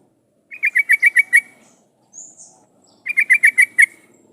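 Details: Lure recording of a lively yellow-vented bulbul (trucukan), used so other bulbuls answer and sing. Two brisk bursts of six sharp notes, separated by a faint, brief high sweep.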